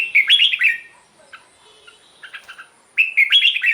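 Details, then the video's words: Red-whiskered bulbul singing, a recording played to rouse caged birds or for decoy use: lively, tumbling chirped phrases open and close the passage. Softer scattered notes fill a quieter middle stretch. "เสียงนกกรงหัวจุก สำหรับต่อ หรือ เปิดให้นกคึก เสียงเพราะๆ"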